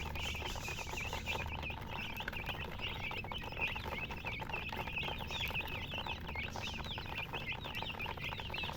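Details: Many chickens cheeping together, a busy stream of bright, short, curling chirps repeated several times a second, with a steady low hum underneath.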